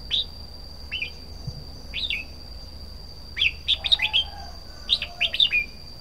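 A red-whiskered bulbul sings short, bright whistled notes, then quick bubbly phrases of three to five notes, over a steady high electronic whine.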